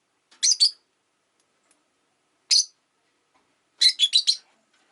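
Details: Pet rosy-faced lovebird on a relaxed afternoon, giving short harsh chirps: a quick pair, a single note, then a rapid cluster of four, separated by silent pauses.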